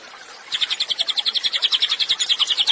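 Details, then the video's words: Cililin singing energetically, used as a master recording for training songbirds: after half a second of quiet, a fast run of sharp, high chirped notes repeated about seven times a second in an even, pulsing trill. "CILILIN GACOR, MASTERAN HANDAL UNTUK BURUNG KICAU."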